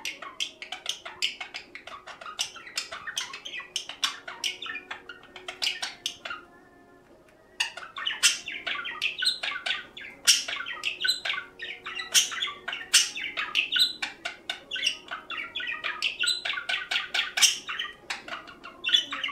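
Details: A captive pet budgerigar hen in breeding mood chatters in a rapid run of scratchy chirps and squawks.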